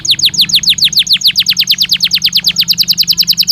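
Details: Belgian canary singing naturally: a fast train of repeated downward-sweeping whistled notes, about three to four per second, with a change to broader, slower sweeps near the end; a low steady hum underneath.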